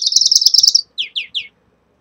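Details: Caged red-fronted serin at the start of moult: a rapid buzzy trill of high notes, then three clear descending slurred chirps.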